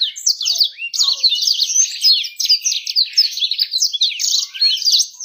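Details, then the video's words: Warbling bird song intended to get birds singing fast and attract females; an unbroken stream of quick, high chirps and buzzy trills, rapid and lively. "PANCINGAN BURUNG CEPAT GACOR DAN MENARIK BETINA"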